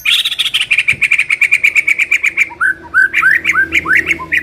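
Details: Shama song serving as a training lure: a fast steady string of sharp chirps, then a series of rising whistled slurs repeated roughly three times a second.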